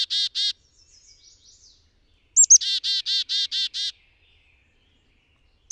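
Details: Yellow warbler giving bursts of loud, harsh buzzy notes. Each burst opens with two sharp high slurred notes and runs into about six rapid rasping notes. Faint soft twitters come between bursts.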